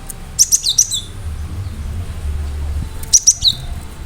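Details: Gelatik batu, the cinereous tit, in lively song with sharp notes meant to make listening birds respond; two short phrases of three or four piercing high whistles ending in a slurred downward note, a quiet gap between them, faint background hum.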